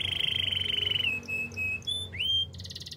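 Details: Singing canary holding a long rapid trill that drops slightly in pitch after a second, then short pure whistled notes and a rising slurred whistle, closing with a loud buzzy high trill; faint low background hum.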